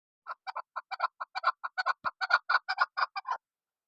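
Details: Chukar partridge calling: a quick series of clucking 'chuk' notes, some doubled, about five per second. The notes rise gradually in loudness before stopping, with a faint low thump midway.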